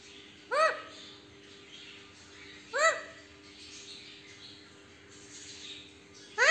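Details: Caged pet parrot that says haa haa whenever touched: three brief, loud, arched harmonic cries spaced two to four seconds apart over a soft, hissy room background.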